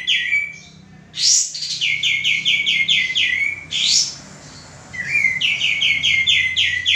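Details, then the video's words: Male common iora singing, recorded for training cage birds: a bright upward-sweeping burst opens each phrase, followed by quick runs of repeated high chirped notes; three such phrases in seven seconds. "suara burung kapas tembak jantan gacor"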